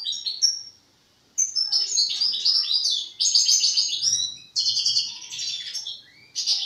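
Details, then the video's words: European goldfinch, a young bird still working out its song, delivers a long, fluent run of tinkling, high-pitched twitters and chirps with liquid, slurred notes. Short breaks divide the run into loud, dense phrases. "حسون جان في مرحلة تفريز الغناء"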